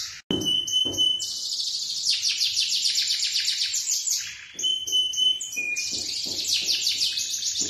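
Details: Male canary of lemon colour singing long trilled passages separated by clear level whistles, with a short break at the start and a quieter dip midway before the rapid trills return.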